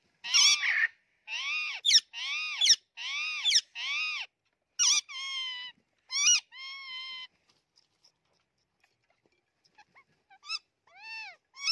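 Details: Rose-ringed parakeets, a green and a white one, fighting, trade harsh, grating squawks in quick bursts, with some higher, more tonal wails and short pauses between.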